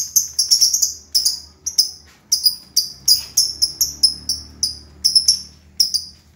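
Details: A lovebird delivers a quick run of piercing high chirps, each a short downward-slurred note, spaced unevenly at roughly one to two per second, with quick doublets mixed in.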